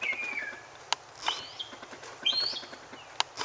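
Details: Mockingbird singing to find a mate, giving thin whistled phrases: a level whistle, then a rising slur, then a higher upswept note, with sharp ticks between them.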